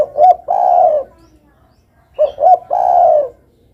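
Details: Spotted dove giving two cooing phrases, each a pair of short soft notes followed by a longer, steady, slightly falling coo, separated by about a second of quiet; a clean close recording with no other sounds.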